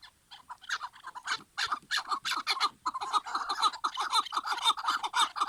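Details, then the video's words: Chukar partridge song: scattered harsh clucks that quicken into a dense, fast run of chuk notes, becoming nearly continuous and overlapping in the second half, with a clear background. "Keklik sesleri / Muhteşem keklik sesleri"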